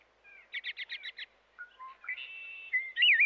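An American robin gives a quick burst of six sharp, high notes, then a string of clear whistles ending in a rich, warbled phrase.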